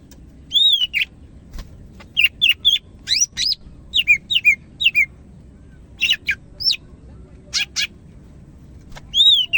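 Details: Cak ijo or greater green leafbird of the Medan type in full, lively song, pouring out a near-continuous run of varied high whistles, rising slurs and sharp chirps in quick bursts, with faint low background rumble.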